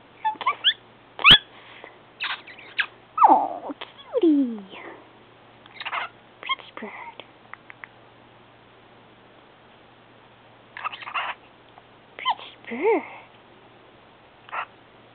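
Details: A pet cockatiel kissing its owner's foot makes quick popping kiss sounds mixed with chirps, whistled swoops and soft chatter.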